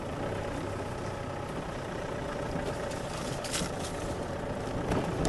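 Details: A vehicle engine idles steadily throughout during a morning safari drive, with broad rumbling noise and a few brief rustling bursts, but no animal voice.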